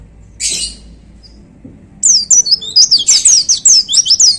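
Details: A caged pleci, or white-eye, on a contest pole gives a short rasping note, pauses, then launches into a dense "tembakan" volley of high, rapidly repeated whistled slurs.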